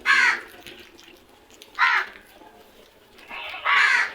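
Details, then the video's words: Crow calling loudly, three harsh, grating caws spaced roughly two seconds apart over a low background hum, each caw short and rasping with rich harmonics. "Loud noise made by really smart crows"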